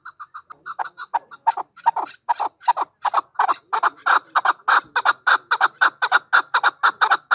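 A chukar partridge gives a few soft notes, then a quickening run of harsh, clucking chuk notes, about four per second, with nothing else heard.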